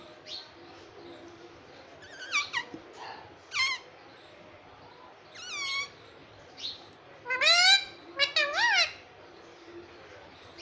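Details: Pet parrot indoors, imitating "mummy" and "papa": scattered short, shrill harmonic calls, then a louder burst of several wavering voice-like syllables near the end, over a low steady hum.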